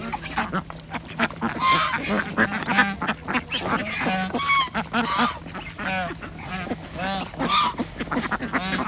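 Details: Flock of farm ducks during feeding on an organic village farm in Andhra Pradesh, alongside chickens and geese; loud, repeated harsh quacks rising and falling in quick series, many birds overlapping, with steady background clatter.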